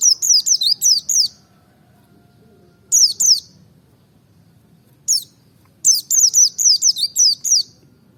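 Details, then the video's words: Merapi white-eye singing to provoke other birds: rapid bursts of high, downward-slurred chirps in tight runs of four to five, separated by brief silences, then a longer run of about eight notes. "pancing emosi pleci merapi ngalas dobel buka paruh 100℅ ikut bunyi"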